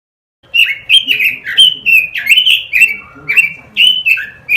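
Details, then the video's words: Tutor recording of robin song for training caged songbirds: lively warbled phrases of sweet, slurred whistles that swoop up and down in quick succession, with a brief lower held note partway through. "Masteran suara burung ROBIN"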